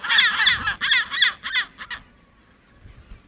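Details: Chinstrap penguin in Antarctica, on the peninsula or at Deception Island, giving loud harsh braying calls. About six grating bursts come in quick succession over two seconds, then quiet background.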